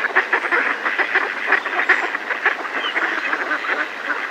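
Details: Mallards in a decoy sound the alarm together, up close: quick, clipped nasal quacks repeated rapidly by many birds at once, forming a thick chatter.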